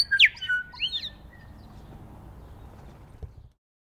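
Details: New Zealand bellbirds feeding in snow on the first day of spring: a quick burst of sharp, steeply falling and looping chirps in the first second, then near silence over a low steady rumble.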